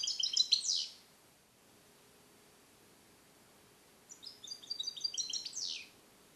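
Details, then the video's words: Captive-born song-trained male European goldfinch from 2021, trained with Neapolitan passages and held in a small carrier cage: two bursts of rapid, high twittering notes in stacked trills, each ending in a downward sweep. "Cardellino Passata Napoletana 2021 - KH24 - European Goldfinch - Jilguero cate limpio"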